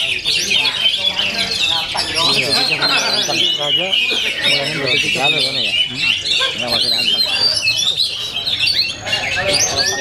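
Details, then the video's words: Oriental magpie-robin at full power, with a long unbroken stream of harsh squawky notes, rapid chatters and high whistles, loud and densely packed throughout. "OMEN KACER FULL POWER"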